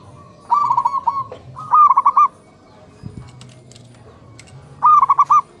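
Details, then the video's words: Local zebra doves, male and female, answering each other at dawn. Three phrases of rapid, clipped cooing notes: two close together, then one more after a pause filled with a low thud and soft background noise. "Suara perkutut saling sahut saat pagi hari"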